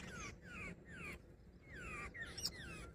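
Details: Short, falling nasal notes from a female jungle babbler, repeated several times at a steady pace over a low background rumble.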